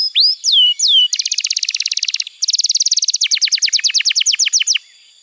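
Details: Canary tutor song for young birds: a few swooping whistles, then two dense buzzy rolls, followed by a quick, even series of downward-sliding notes.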